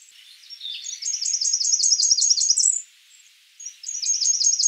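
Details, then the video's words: A Blackburnian warbler sings a measured series of about nine thin, high, evenly repeated notes, then pauses before starting another run. "Blackburnian warbler calling"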